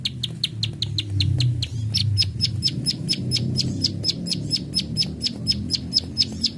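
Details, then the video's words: Plain Prinia giving a rapid series of dry, high "klik klik" clicking notes, about four or five per second, over a low background rumble; a full-volume master recording. "Prenjak Sawah ( klik klik ) Gacor"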